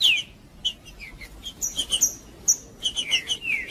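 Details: Green-winged saltator singing to warm up and stimulate another saltator: clear descending whistled slurs at the start and end, with scattered short high chirps and sharp notes between them over a quiet background.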